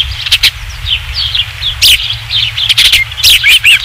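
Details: Osprey at the Dunrovin Ranch nest, 27 July 2016, third fish: steady stream of high, slurred whistled chirps, some downward-sweeping, growing louder and denser toward the end, with clicks and low background noise.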